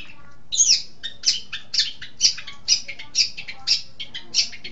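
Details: Long-tailed shrike song used as a training recording for songbirds: a fast series of harsh, buzzy chattering notes repeated about twice per second, each burst broad and grating.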